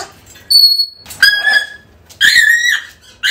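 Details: African grey parrot calling, used to draw a lost pet home: a high pure whistle, then two loud harmonic squawks with bending, nasal tones, separated by short pauses.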